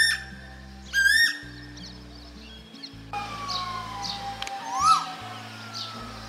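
An Asian koel gives two clear, rising whistled notes about four seconds apart, over a soft, steady musical drone.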